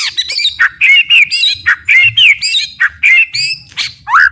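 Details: Loud, varied White-rumped shama song used as training material: rich whistled phrases sliding up and down, delivered in quick bursts about every quarter second, mixing sharp high notes with fuller mid-pitched slurs.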